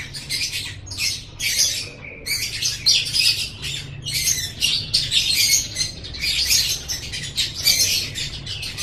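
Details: Lovebird song made for training other kept lovebirds: dense, harsh, buzzy chattering bursts, high and squeaky, pouring out almost without pause, each burst under a second, with a faint low hum underneath.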